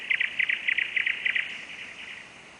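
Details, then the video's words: Nightingale song recorded with a camera one July night in Novosibirsk: a quick series of paired, clicking chirps repeated roughly every quarter second, trailing off softer. "песня новосибирского соловья"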